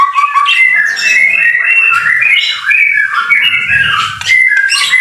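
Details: White-rumped shama in the rain delivering rich, flute-like whistled phrases that warble up and down in quick succession, with faint low rumbling beneath.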